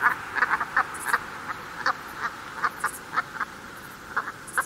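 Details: UK Brent geese calling together, a rapid irregular series of gruff, nasal honks, often in quick pairs, several birds overlapping at roughly three calls a second against constant hiss.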